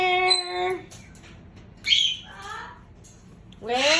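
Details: A pet female rescue cockatoo, showing off and obsessed with a visiting cockatiel kept in its carrier, gives harsh, harmonic-rich screams with a brief high whistle between them. She screams whenever she can't be close to the cockatiel.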